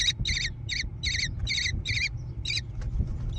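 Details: American kestrel chicks in a gravel-bottomed barn nest box near Prairie du Chien, Wisconsin, USA, 14 June 2022, nest cam: seven rapid wavering, rasping screeches, then a few faint clicks and a low background hum.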